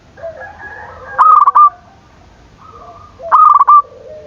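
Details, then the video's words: Zebra dove call meant to stir rivals into calling: two stuttering, purring coos about two seconds apart, with softer lower cooing from another dove underneath. "Perkutut gacor dor, memancing emosi lawan bunyi"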